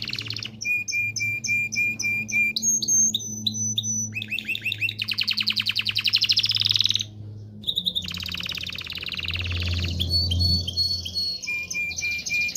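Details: Canary singing to prepare males and females for mating: steady repeated high whistled notes, rolling chirp series, fast trills, and a brief gap before more varied whistles and trills.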